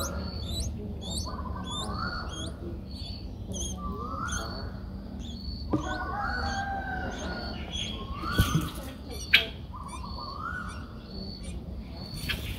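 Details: Six-day-old Streak-eared Bulbul (Pycnonotus blanfordi) nestlings in Ubon Ratchathani, Thailand, 8 April 2023, give begging calls: thin, high, hooked peeps in quick runs, with softer rising slurred notes about every two seconds over a low rumble.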